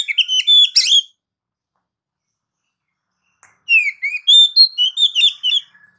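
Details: Oriental magpie-robin song opening with a dense, scratchy cluster of notes. After a long silence comes a lively string of about ten clear, slurred whistles with varied pitch, ending in a soft low trailing note.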